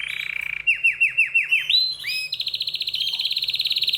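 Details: {'text': 'Excited canary: a buzzy trill, then a series of about six downward-swooping whistles, a rising slur, and a bright rapid high trill to the end.'}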